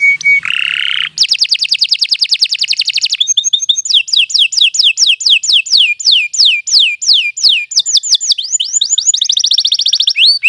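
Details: Canary delivering long song for tutoring other birds: opens with a steady whistled tone, then fast rolling trills and long runs of sweeping downslurred notes, ending in buzzy high trills.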